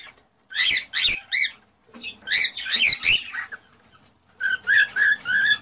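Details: Cockatiel calls played daily to prompt mating: two bursts of loud, harsh, rising chirps, then a steady row of short whistled notes.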